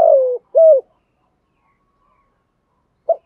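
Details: Spotted dove, 'giọng thổ' style cooing intended to provoke rival males. A long mellow falling coo and a short steady coo are followed by almost three seconds of quiet, then a single brief note.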